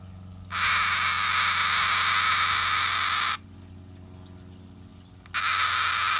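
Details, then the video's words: Pet cockatoo at rest gives a drawn-out grating screech of nearly three seconds, falls silent, then begins another harsh rasping call; low indoor hum throughout. "Cockatoo makes interesting sound while relaxing"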